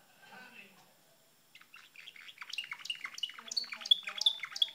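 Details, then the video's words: Pet canary chattering and singing; after quiet murmuring, a busy stream of varied chirps and twittering builds up, ending with sharp high whistled notes. "sound of canary bird talking"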